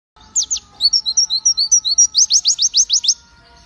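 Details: White-eye, locally called pleci, singing energetically: a run of high, rapid downslurred notes, then short level whistles, then a fast series of steep descending notes, about three and a half per second.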